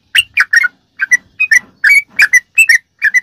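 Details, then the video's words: Ropelan-style song of a sooty-headed bulbul, a training recording for kept birds: paired whistled notes, some rising and some falling, repeated in a bouncy rhythm roughly three times a second. "ROPELAN BURUNG TRUCUK TERBAIK||PASS BUAT ISIAN¦¦MASTERAN TRUCUK"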